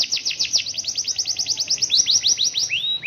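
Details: Rainy-season canary song, long and unusual roll: a steady fast trill of bright downward-sweeping notes, about three per half second, then looser notes and a thin rising whistle at the end.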